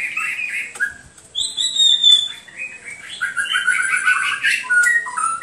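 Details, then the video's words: Hwamei singing varied phrases: warbled lower notes, a long high pure whistle, then a fast run of repeated short whistled notes and a few sharp accents. "HWAMEI SINGING"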